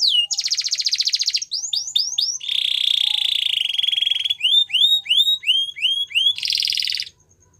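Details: Female Belgian canary, morning song: a dense rattling trill, a few sweeps, a long low buzzy roll, then repeated rising whistles and a closing rapid trill before silence.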